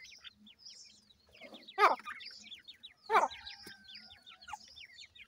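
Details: Teetar (partridge) chicks at feeding time: a run of high, thin, quickly repeated peeps, broken by two loud sharp tapping knocks and a faint steady tone in the background.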